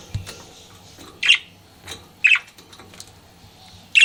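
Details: Flirting pet budgerigar giving single loud bright chirps about once a second, separated by quiet gaps with faint soft ticks and a low hum.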